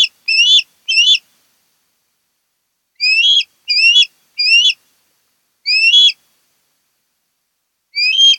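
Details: Osprey nesting on Kent Island, Maryland, August 2018: loud whistled rising calls given in pairs and singles with long silent gaps between them.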